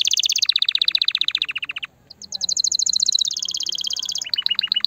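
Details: Canary song to stimulate a female: rapid rolling trill, short silence, another fast high trill, then choppy descending notes.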